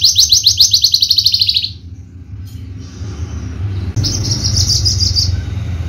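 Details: Caged Javan Horsfield's bushlark, a bird-contest competitor, giving a fast high trill of rapid repeated notes that fades out, then after a pause a buzzy high phrase, over low hum.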